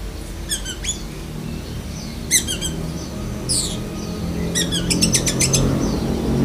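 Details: Black-breasted Oriental magpie-robin with lovebird mimicry: spaced bursts of sharp ticking chirps and a brief sweeping whistle, ending in a quick series of clipped repeated notes, over louder low background noise.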